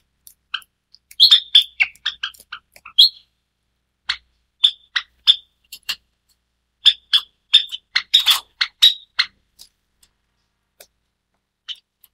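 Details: A white Java sparrow (Lonchura oryzivora) gives short, high, clipped chips and metallic tinks in quick bursts with brief pauses over about ten seconds.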